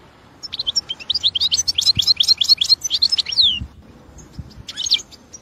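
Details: Wild European goldfinch in song. A lively run of rapid, high, chattering notes ends in a downslurred whistle, followed after a pause by a brief further chirp. Low hum beneath.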